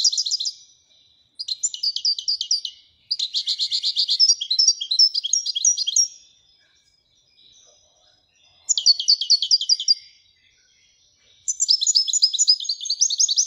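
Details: Widania song of a Moroccan goldfinch: several bursts of fast jingling twitter and buzzy trills, each a few seconds long, separated by short silences.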